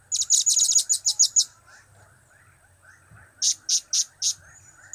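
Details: A blue-crowned hanging parrot gives its cap, kiak and crap calls: a rapid chattering run of about twelve high shrill chirps, a quiet gap, then four spaced, piercing notes.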